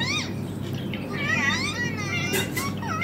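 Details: Green ringneck parrot talking with a mobile phone: a quick run of warbling, up-and-down harmonic syllables, speech-like and loud, over a constant low background hum.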